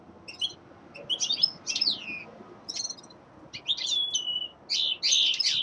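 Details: Young male linnet in winter giving spaced bursts of chirps and downslurred whistles, phrases becoming louder and longer toward the end.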